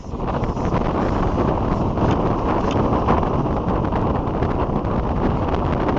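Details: Gusty wind rumbles continuously across the microphone, and no bird or other animal voice comes through.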